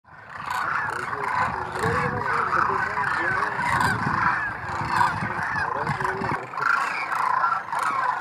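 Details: Thousands of wild migratory demoiselle cranes gathered near a water hole in Rajasthan, India, in winter, preening. A dense, continuous chorus of overlapping honking, trumpeting calls, with lower rolling call notes in the first seconds.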